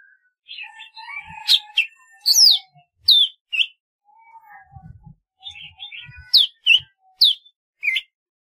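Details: Golden-fronted leafbird song of varied sharp downslurred notes and short whistles in loose bursts, with softer lower warbling passages and faint low thumps in the background.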